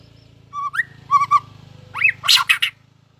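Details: White-rumped shama competition singing: rising whistled notes and short doubled chips, then a loud harsh burst of rasping notes, over a low constant hum.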